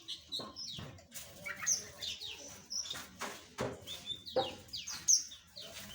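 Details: Small aviary birds of different kinds give scattered high chirps and sharp tweets, broken by several brief rustling or clicking sounds.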